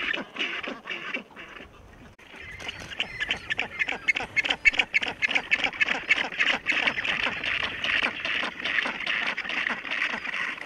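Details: Black-browed albatross at a breeding colony shared with Southern Rockhopper Penguins on West Point Island, Falklands, in late December 2018, chick-rearing season; an adult preening its chick gives harsh, rasping, quacking bursts, three or four a second, over steady noisy rookery chatter.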